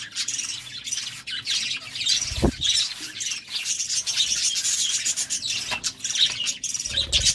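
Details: Courting budgerigars keep up a continuous, scratchy warbling chatter of quick high chirps and squawks, with a short dull knock partway through.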